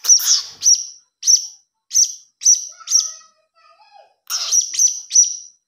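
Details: Blue-crowned hanging parrot chick begging, used as a lure call: a series of short, sharp, high chirps, each with a piercing tone, spaced about half a second apart, with a brief pause and faint softer notes before the chirps resume.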